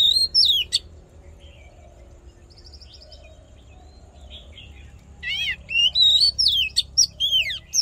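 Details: Oriental magpie-robin fighting song for voice training and stimulating males: an opening whistle and sharp note, a long lull with faint chatter, then a harsh rasping note leading into a fast stream of whistled phrases.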